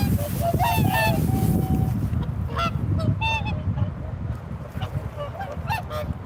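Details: Swans calling: loud nasal honking notes with harmonics, several birds overlapping in the first seconds, then scattered honks fading, over a steady low rumble of wind or water.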